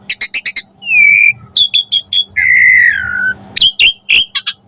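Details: Asian pied starling singing to train pet birds: clipped chattering notes, a sustained clear whistle, more quick notes, then a long wavering downward whistle and further sharp chips.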